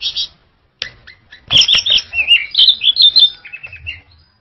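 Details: An orange-headed thrush sings in a lively, continuous run of rich, rapidly varied warbled whistles. The notes sweep up and down and tumble together for about three seconds after a few opening notes.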